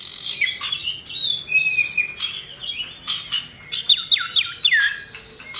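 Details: Common iora (cipoh) lure song from male and female birds: a steady stream of high chirps and short whistles, then a run of loud, sharply downslurred whistled notes repeated about every quarter second.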